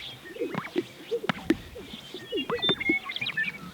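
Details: Several male Greater Sage-Grouse display on a lek in central Montana in the early morning, inflating chest air sacs, with females present: low, bubbling, watery gulps and sharp popping plops every second or so, faint high chirps of other birds behind.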